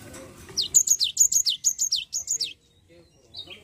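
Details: Java sparrow lure to prompt an idle bird to sing: a rapid series of around eleven shrill, downward-sweeping chirps over two seconds, followed by softer chirps and light knocking.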